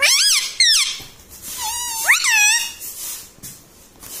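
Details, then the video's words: Rose-ringed parakeet known for talking and saying "mummy": two quick high harmonic squawks, then a longer rising and falling speech-like phrase, fading into faint background noise. "Talking Parrot Mitthu Mitthu Tota || Mummy Mummy Bolne Wala Mitthu || pattu Parrot Talking"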